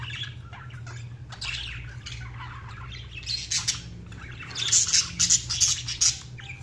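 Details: Budgies giving dense, scratchy chirps and squawks that grow louder and more crowded toward the end, over a steady low hum.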